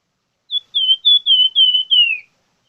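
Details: Vigorous song of a plamboyan bird, a brisk string of six or seven clear high whistles, even in pitch, the final note sliding downward, with complete quiet before and after.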